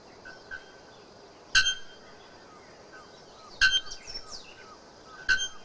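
Bare-throated bellbird giving three loud, ringing metallic clanks like a hammer striking an anvil, about two seconds apart, with faint chirps from other birds.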